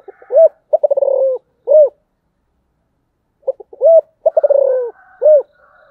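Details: [['Spotted dove'], "A spotted dove calling repeatedly in the 'giọng thổ' style: two matching phrases, each made of short lead-in notes, a loud mellow coo, a rattling stutter and a final hooked coo, with a quiet pause between them."]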